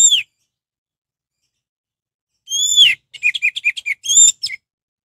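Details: Energetic orange-headed thrush lure song, meant to spur other birds of its kind to sing: a brief whistle, a silence, then a long arched whistle, a rattling series of short chirps and another whistled note.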